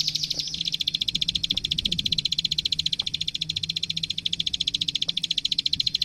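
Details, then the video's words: Plain prinia master song for training birds: a sharp burst at the start leads into an unbroken, metronome-like stream of fast, high clicking notes, with a faint low hum. "Suara Masteran Burung Klik Klik Gacor"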